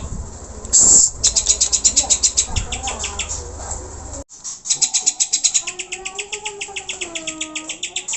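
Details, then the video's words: Greater green leafbird song played to provoke caged birds into singing and aggression: long runs of rapid, high, ringing chirps at about four per second, broken by a brief loud burst and a short gap, with softer lower whistled notes underneath. "PANCINGAN CUCAK HIJAU AGAR GACOR DAN CEPAT EMOSI"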